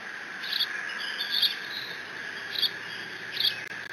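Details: A bald eaglet at the Decorah N2B nest camera mantles the fish its father delivered, 30 June 2017. Four shrill squeals, the second drawn out, sound over steady electrical hum.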